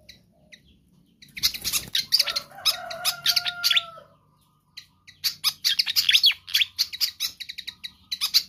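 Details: Pied fantail song recorded to lure or train other birds: dense bursts of sharp, high chirps and squeaky notes, broken by a pause with two long steady whistles, then a second rapid chirping run.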